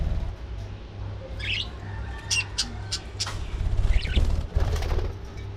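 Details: Early morning feeding time for budgerigars: short sharp chirps and a few squawks, some fluttering, with a low background hum.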